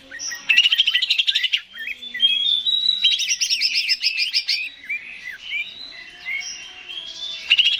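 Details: Greater green leafbird (cucak ijo) song for stimulating a bird to sing: rich, varied warbling with fast trilled bursts, sliding whistles and chattering notes, continuous throughout with brief quieter passages.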